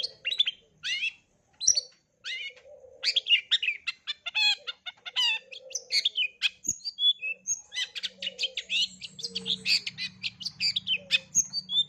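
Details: Long-tailed shrike pouring out a full repertoire of borrowed sounds for young birds: dense chattering bursts, sharp chirps and whistled slurs, with short gaps early and an unbroken stream later, plus faint low background hum.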